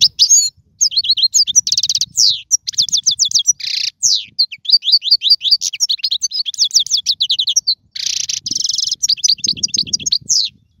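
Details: Long goldfinch song sequence for training young birds: fast liquid twitters, buzzy trills and repeated sharp chirps flowing almost without a break, occasional harsher buzzes, faint low noise beneath.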